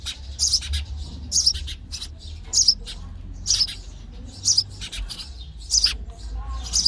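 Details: Baby sparrows begging in their nest as parents feed them, giving sharp high chirps in short bursts roughly every second, uneven spacing, with faint low rumble underneath.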